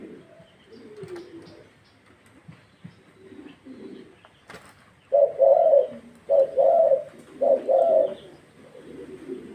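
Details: Spotted dove of the Thai 'vân rồng' type, described as very fired up; after faint low coos, three loud, husky coos come close together, each a short phrase of rounded, mid-pitched notes, over a quiet background.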